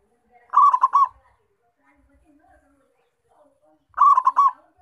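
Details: Local Indonesian zebra dove (perkutut lokal), an active, vocal bird whose call serves as a lure for trapping wild zebra doves. Two short, mellow cooing phrases, each of three quick rolling notes, about three and a half seconds apart, with quiet pauses between.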